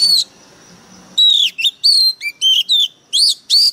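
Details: Worked-up Oriental magpie-robin decoy bird: a sharp opening note, a brief pause, then a lively sequence of loud whistled phrases, some rising, some dropping low, others sweeping in loops.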